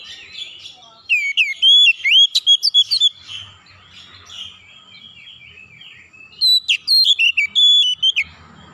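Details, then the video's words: Calling Oriental magpie-robin giving two rich bursts of clear whistles, upslurred and downslurred notes mixed with short sharp chips, separated by a softer scratchy warbling passage, over faint low background hum. "KICAUAN KACER MEMANGGIL"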